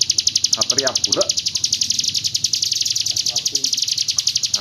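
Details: Hill prinia from East Java in roll tembak style, its fast high pulsing trill running throughout while men talk over it in the first second and again near the end.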